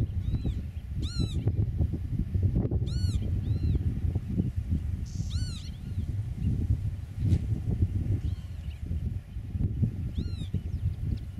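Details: Eurasian oystercatcher at its nest in a meadow, filmed from 8 m away, gives short, shrill, piping 'kleep' notes, singly and in quick pairs, every couple of seconds over heavy low wind rumble.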